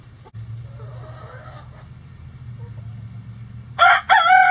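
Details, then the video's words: Rooster at a chicken sanctuary crowing in the coop on a sunny day, with hens scratching nearby. After a quiet stretch of low steady hum, a loud, harsh, rich crow bursts in near the end and is cut off. "Rooster Crowing"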